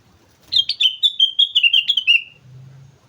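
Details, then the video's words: A sooty-headed bulbul from Mount Slamet sings vigorously. About eleven rapid, bubbling whistled notes come in an unbroken run that gently descends, followed by a low steady hum. "suara burung kutilang gacor gunung slamet"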